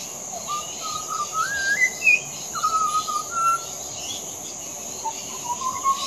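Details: Adult Pied Butcherbird singing a clear, fluting whistled song: low notes sliding up into higher slurred whistles, a pause, then steady mellow notes and a rising ending, with constant high insect buzzing behind.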